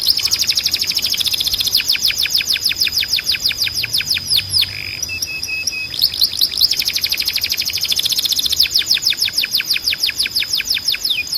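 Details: Timbrado canary, a singing breed used for training young canaries, delivering fast rolling trills of descending notes near 4–6k, broken by a short buzzy passage and low flat whistles, then resuming the rapid repeated trill.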